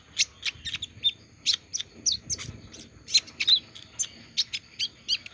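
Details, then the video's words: Post-moult olive-backed sunbird keeps singing: crisp high chip notes repeated roughly every third of a second, with one or two brief whistled slurs. "Kolibri ninja selesai rontok masih mau bunyi"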